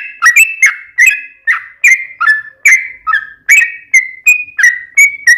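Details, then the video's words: Yellow-vented bulbul (trucukan) singing as a lure to prompt other bulbuls: a steady sequence of short, liquid whistled phrases rising and falling, roughly three notes per second. "KICAU SUARA trucukan gacor ROPEL PANJANG pancingan trucukan agar bunyi"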